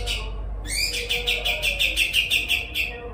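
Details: Kapas tembak tutor bird producing a sudden dense trill of sharp, evenly repeated high notes, several per second, following a brief quiet start, against a low background hum.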